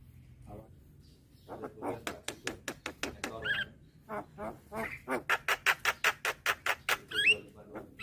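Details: Calling young Javan myna with white eyes, bobbing its head to lure other mynas. After quiet scratchy notes comes a fast, even chatter of clicking notes, with a twisting whistle near the end.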